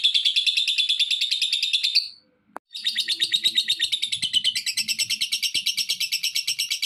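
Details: Lovebird chatter used as a lure for other lovebirds, a fast high pulsing stream of repeated notes that breaks off for half a second with a click, then resumes just as rapidly, with faint low knocking below.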